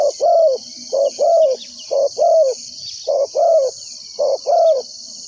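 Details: Spotted dove calling as a decoy for trapping wild doves: repeated two-part coos, brief then longer and gently descending, in a steady rhythm with a high insect chorus underneath.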